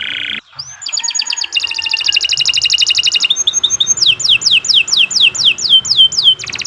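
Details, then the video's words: Canary song made as a model for training birds: brief rising note, dense buzzing rattle, short trill, then a series of clear descending whistles repeated rapidly, closing with a buzzy burst. "Kicau Burung Kenari II GACOR PANJANG Cocok untuk Masteran"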